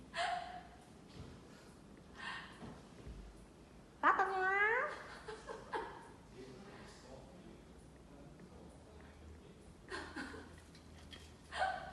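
An Eclectus parrot repeats a short mimicked Chinese phrase, 'boss lady', in a few raspy, voice-like bursts, with quiet indoor room noise between them.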